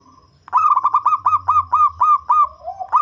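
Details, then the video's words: Local zebra dove with a deep, bass voice, kept as a lure bird, gives a fast run of about ten clipped, hooked cooing notes. The notes are evenly spaced and end in a longer drawn note over a faint low hum. "Perkutut Lokal Suara Ngebas"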